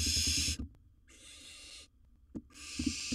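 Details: Wild barn owl in a monitored nest box during the swallowing of a large prey: three broad, breathy hiss-screeches separated by brief quiet gaps, with a low background rumble.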